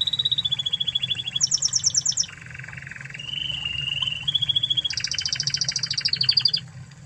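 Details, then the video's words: Spanish Timbrado canary of Spanish origin singing a sequence of trilled tours: a falling rattle, a high fast roll, a low buzzy trill, a level purring section, then a loud high rattle and a closing falling trill. "Masteran Kenari Spanish Timbrado Ori Spanyol"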